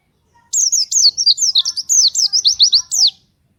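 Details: Energetic gacor, nembak song of a pleci, or white-eye, used as a lure for other white-eyes: a clean burst of about a dozen quick, high, downward-slurred whistles lasting under three seconds.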